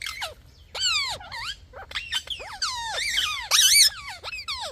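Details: Parrot producing a varied run of loud, nasal, sliding squawks and warbling chatter that swoops up and down almost without pause, ending in a harsh burst.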